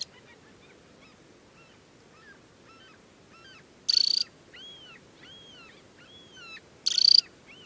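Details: Temminck's stint, a banded adult in summer, at Tinnhølen lake, Hardangervidda, Norway, in early July; two loud, high, dry trills, each under half a second, amid many softer arched whistled calls from other birds.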